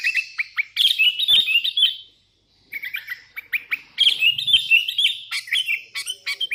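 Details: Sooty-headed bulbul in full voice calling out to rivals, with wild bulbuls answering: dense runs of bubbly whistled notes, rapid and uneven, broken by a short silence before the chattering phrases resume.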